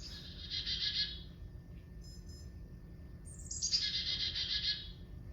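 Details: Two quick Carolina Chickadee 'chick-a-dee' calls: a thin, high introductory note dropping into a fast run of buzzy 'dee' notes, faster and higher than a black-capped chickadee's, over faint low background rumble.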